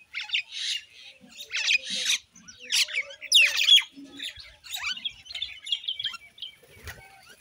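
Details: Common Indian myna giving a varied run of harsh squawks, clicks and chirps in short bursts, some notes sweeping up and down, with brief gaps between phrases.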